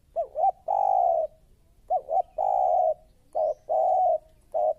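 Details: Spotted dove, a new and aggressive bird, recorded as a lure. It gives low, soft coos: two quick wavering notes, then a long steady coo. The phrase repeats three times in five seconds over a quiet background.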